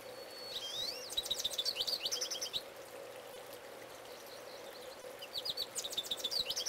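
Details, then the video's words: Close-range song of a male goldfinch. A long whistled note bends into a quick run of rapid, buzzy twitters, then a pause of humming background before another burst of fast high chirps. "Goldfinch Singing, Part 2"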